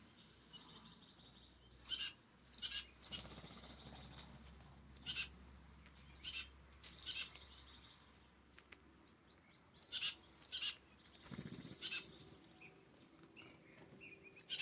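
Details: California scrub-jays discovering a seed, nut and worm bounty in the early morning at Descanso, California; spaced harsh rasping calls, singly and in groups of two or three, with long quiet gaps and a low thump.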